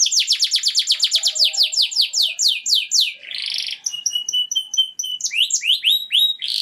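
A canary sings a fast run of about four descending chirps per second, then a harsh buzzy burst, short clear whistles and sweeping upward notes.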